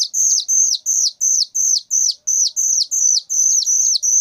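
A young whistling thrush gives loud, high, piercing notes, each held briefly then slurred downward, repeated about every 0.4 seconds in a steady series.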